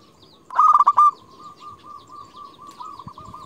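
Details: Local zebra dove lure bird calling rivals: a single loud clipped stutter of coos, then a long soft trailing series of low even notes.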